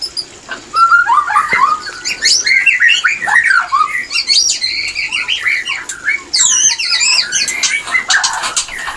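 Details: White-rumped shama mating song for bringing birds into breeding condition; loud tumbling sequence of warbled, jumping whistles and squawky notes, shifting into high, rapid, scratchy chattering.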